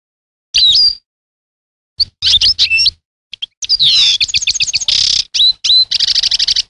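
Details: European goldfinch song with slurred whistled notes, a rapid stuttering series of clicks, and a harsh buzzy trill toward the end, delivered in lively, broken phrases.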